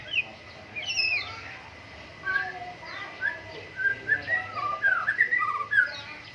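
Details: White-rumped shama, caged, Medan, Indonesia, morning dew airing, giving a string of clear whistled notes, sliding and looping, quickening toward the end of the phrase.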